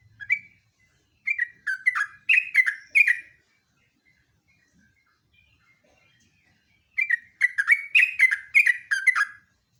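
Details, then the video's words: Sooty-headed bulbul (trucuk, jogjog) in lively 'ngeropel' song style, used as a lure and master recording: two bursts of bubbly, chattering whistled notes around the upper-middle range, each lasting about two seconds, separated by a quiet gap. "BURUNG JOGJOG/TRUCUK NGEROPEL"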